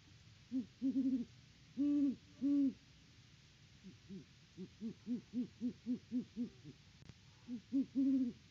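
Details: Great horned owls at their nest tree on a farm live cam in Peabody, Kansas, October 17, 2023, during a hooting session at the nest: deep, soft hoots in short bursts, then a run of about ten evenly spaced brief hoots, then two louder hoots.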